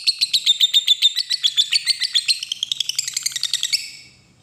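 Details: Lovebird ngekek trill meant to lure a rival into responding: a quick string of shrill chirping notes, about four per second, rising in pitch toward the end before fading away.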